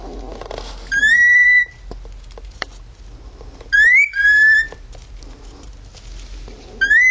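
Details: Male pet cockatiel mimicking a siren with repeated rising, then level whistles, one split into a climbing note and a lower held note, and light tapping sounds in between.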